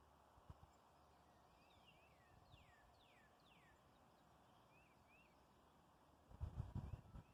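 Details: Young woodpeckers at a bird feeder cage, feeding on wheat bread; a run of thin, high, downslurred chirps in quick succession, then short upturned notes, with steady low background rumble and a loud thump near the end.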